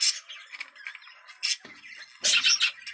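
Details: Budgerigars calling in a recording meant to stimulate mating: short bursts of bright, scratchy chirps and squawks separated by quieter warbling, with a loud rasping outburst near the end.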